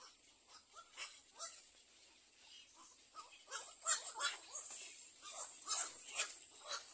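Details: At a nest with four chicks, little egret sounds come as rapid, uneven chattering of harsh clipped notes, about three per second, building louder in the second half, a steady shrill whine running underneath.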